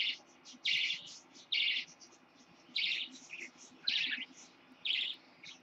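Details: Baby lutino parakeet, a caged pet born 26 October 2015, giving harsh, scratchy chirps in short bursts about once a second, with quiet gaps between them and a faint low room hum.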